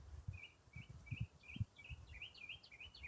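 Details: In autumn a single songbird runs through its continuous riff of short whistled and warbled notes that climb and fall in quick succession. Dull low knocks and rumbles are heard in the background.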